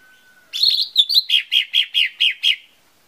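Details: Lesser green leafbird song meant to lure birds into singing: a warbled whistled phrase followed by about eight evenly spaced chirps, each slightly lower and fuzzier.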